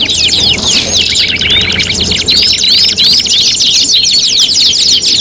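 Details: Five-in-one canary tutoring recording for contests: quick chattering trills about three notes a second, interlaced with thin slurred whistles, and several birds singing over one another.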